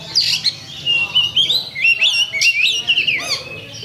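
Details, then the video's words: Champion Oriental magpie-robin (kacer) in a lure song to make rivals fight: rapid sequence of looping whistled notes and sharp upward slurs, almost continuous, with a faint low hum behind. "PALING TOP LANSUNG TARUNG ! PANCINGAN KACER JUARA"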